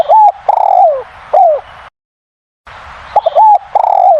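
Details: Spotted dove cooing very loudly in manggung style, two mellow phrases with rising and falling notes separated by a short silence, hiss in the background.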